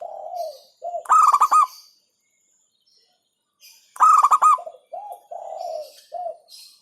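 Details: Local zebra dove (perkutut) singing in the hentakan style: soft, low cooing notes, then a loud, strongly pulsed rolling phrase of about five beats. Further soft coos follow and the loud phrase repeats roughly three seconds later.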